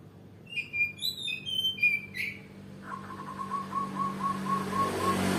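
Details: Oriental magpie-robin from Kalimantan, singing: clear whistled phrases with a few sharp rising notes in the first half, then an even series of lower tones repeated about four times a second over a steady background hum.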